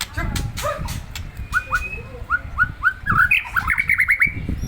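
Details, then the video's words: White-rumped shama, deliberately provoked to agitation: a run of short, clear whistled notes, each slurring upward, repeated about twice a second and ending in a quicker, brighter trill-like burst over low rumbling background noise. "Memancing emosi muray batu"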